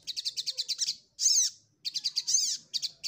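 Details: Ruby-cheeked sunbird searching for an opponent: quick series of sharp high ticking notes, about ten per second, broken by two long buzzy arched notes, then the ticking resumes.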